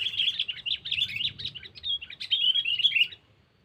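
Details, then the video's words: Sooty-headed bulbul calling a rival, as a lure: a continuous three-second stream of fast chirps and warbled notes, bubbling and varied, ending with a few clearer whistled notes. "Suara Burung Pikat Kutilang Cengkeram || Kutilang Memanggil Lawan"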